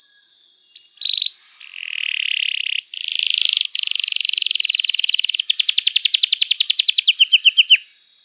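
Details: Canary trilling: harsh buzzy rolls building into a long, fast, even series of clipped notes, with a constant high tone behind.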